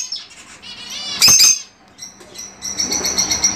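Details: Fischer's lovebirds kept for breeding, chirping to encourage mating: soft high twitters, a loud harsh burst in the middle, then steady thin high chirps with a faint low hum.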